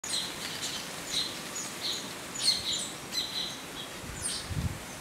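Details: Indian silverbill, also called white-throated munia: thin, high chirps in loose bursts, some doubled, repeated through the clip, with a soft low thump near the end.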